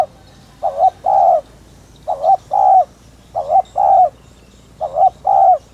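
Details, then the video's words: Spotted dove in the Vietnamese thúc gù lure style for stimulating other doves: four evenly spaced pairs of mellow coos, a brief wavering note then a fuller steady one, about one pair per second and a half. "tiếng chim cu gáy THÚC - RÚT BỔI - KÍCH MỒI cực chuẩn"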